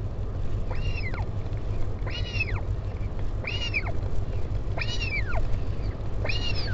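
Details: At the northern royal albatross colony on Taiaroa Head, Dunedin, New Zealand, during a parent's visit to its chick, 16 July 2019: five drawn-out, arched, whining calls about every 1.1 seconds, steady wind noise below.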